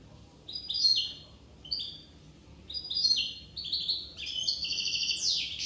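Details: European goldfinch of Corsica singing repeated liquid twittering chirps, phrases about every second, building into a fast tinkling run that ends in a harsh rising buzzy note.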